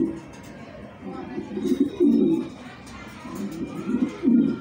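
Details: A blue-bar racing pigeon gives low, throaty coos in short repeated bursts.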